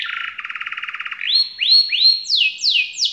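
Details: Canary song in the long 'ngerol tembak' variation style, recommended for young canaries learning to sing: a fast, even buzzy trill of rapid pulses, then loud ringing upslurred whistles followed by sweeping downslurred notes.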